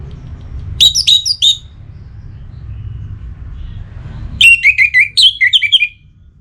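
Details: Orange-headed thrush in breeding condition calling a rival, Singaraja, northern Bali: a short run of clear whistled notes, then after three seconds a longer rapid sequence of slurred, falling and rising whistles, low hum between.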